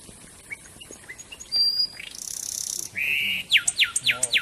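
A wren's high, fast song: thin whistles and a buzzy trill, then a burst of six sharp downslurred notes at about four per second.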